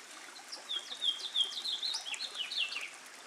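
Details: Gould's wild turkey chicks with their hen, July 7, 2010, give thin, high, down-slurred peeps, about three a second, over a soft steady hiss.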